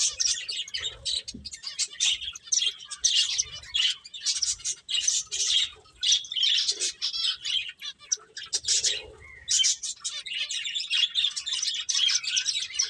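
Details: Finches at play, likely kept as pets, giving dense high chirps and squeaky twitters almost without pause, many short notes overlapping in bursts with brief gaps near five and eight seconds; faint low thumps underneath.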